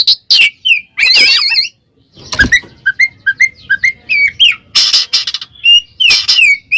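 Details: Oriental magpie-robin calling a rival with ngeplong song: a wavering trilled phrase, then evenly spaced clear whistled notes, closing with loud harsh bursts.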